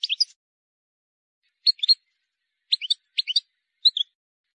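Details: Wild European goldfinch, recorded for teaching young birds to sing: short separate bursts of two or three bright chirping notes, spaced about a second apart, with silence between.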